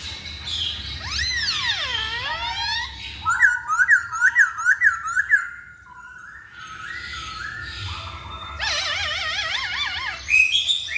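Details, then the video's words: Masked laughingthrush lure: a deep swooping slurred whistle, then a rapid series of short choppy notes, a quiet pause, and a closing run of tight wavering trills. "Pancingan Poksay Hongkong"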